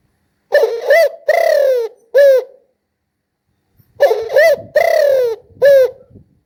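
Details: Spotted dove cooing in two phrases about three seconds apart. Each phrase has a short note, a long mellow coo and a clipped final note, with slight background rumble in the second phrase.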